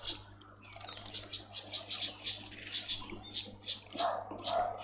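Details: Dark-capped bulbul at a bird bath in a suburban garden in Pretoria, South Africa; quick bright chirps repeat about three times a second, then lower fuller notes near the end.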